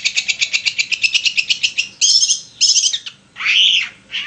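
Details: Long-tailed shrike singing, used as a lure to provoke another shrike into song: a rapid even trill of about fourteen sharp pulses over two seconds, followed by harsh buzzy bursts and a loud grating rasp.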